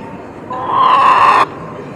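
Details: A Partridge Cochin bantam chicken, rooster or hen, at an agricultural exhibition in Noreikiškės, Kaunas County, Lithuania, on 29 September 2018 at 14:48, gives one drawn-out, nasal call of about a second, steady in pitch, over low indoor murmur.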